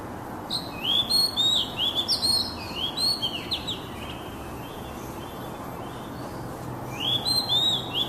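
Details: Oriental magpie-robin singing for stressed kacer birds as therapy: a busy stream of bright, swooping whistles for about three seconds, a hushed pause, then another burst of whistled phrases.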